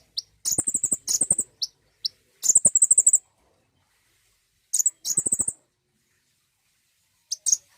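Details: Common iora song played as a lure to prompt birds to sing: bursts of very high, rapid chattering trills, each lasting under a second, with quiet gaps between groups.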